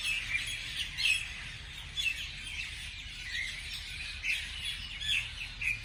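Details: Morning birds twittering, with loud bright chirps bursting out about once a second amid softer background chirping and a faint low hum.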